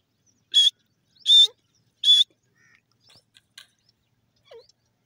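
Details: Grey francolin in the crossing season giving three loud, harsh, high squawking notes about threequarters of a second apart, followed by faint scattered softer notes and a quiet background.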